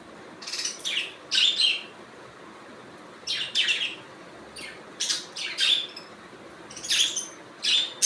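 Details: Natural budgie calling: scattered pairs of buzzy, high chirps separated by quiet gaps of one to two seconds, each note brief and scratchy with a warbled edge.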